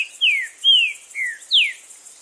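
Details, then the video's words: Green-winged saltator singing loudly in the wild: four clear whistled notes, each sliding downward, spaced about half a second apart, over a steady high insect hiss. "TRINCA FERRO CANTANDO FORTE NA NATUREZA!!!"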